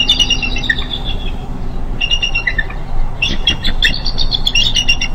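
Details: Bald eagles at their nest on day 35 of a pip watch, 04/04/15, live nest camera: bursts of high, thin whistled chittering notes, repeated in quick series with short pauses, over steady low background rumble.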